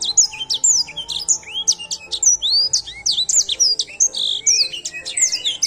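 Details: An edel sanger sings a dense, continuous string of high whistled notes, quick downslurs mixed with rising sweeps, lively and varied throughout.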